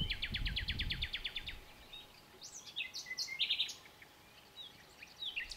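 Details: Common nightingale opens with a rapid run of about ten identical repeated notes, then follows with pure whistles and sharp chirps, quiet and clear over faint hiss.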